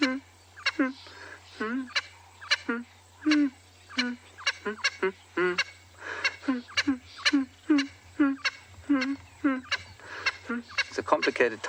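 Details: Swainson's spurfowl standing as if on a stage and singing, heard on an afternoon game drive at Ngala Private Game Reserve, South Africa, 8 May 2020. Harsh, raspy, harmonic notes come in quick repeated bursts over a steady low engine hum.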